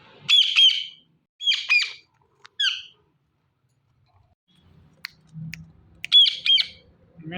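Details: Talking Indian ringneck parakeet, a pet, gives short bursts of squeaky, harsh, speech-like syllables in three quick phrases, then a pause with soft room noise, and closes with another burst of scratchy syllables.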